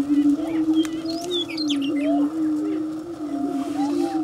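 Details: Prairie chickens dancing on their lek at Bluestem Prairie near Dilworth, Minnesota, during mating display: a low resonant drone holds steady while sliding whoops, cackles and a few high squeaky calls break in.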